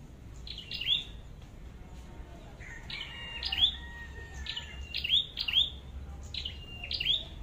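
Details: Red-headed flowerpecker at a trap: a run of sharp, high calls, falling notes with thin level buzzes and crisp ticks, coming in pairs, with a lower flat whistle in the middle and soft low hum throughout.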